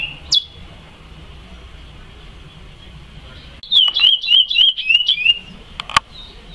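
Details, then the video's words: Curió, or chestnut-bellied seed finch, in the praia song style: a single sharp note, a quiet pause, then a quick burst of whistled, wavering notes mixed with dry clicks before falling silent again. "CURIÓ PRAIA CANTADOR"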